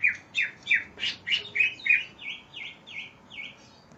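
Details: Steady series from a greater green leafbird, recorded to train other birds: rhythmic, slurred whistles about three per second, starting lower and loud, then shifting to higher, fainter, V-shaped notes near the end.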